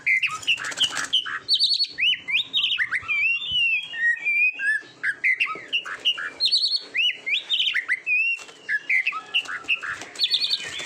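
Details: Oriental magpie-robin (kacer) song for training competition birds: loud, varied whistled phrases with rising and falling notes, sharp chirps and trills delivered in rapid bursts, no other sounds.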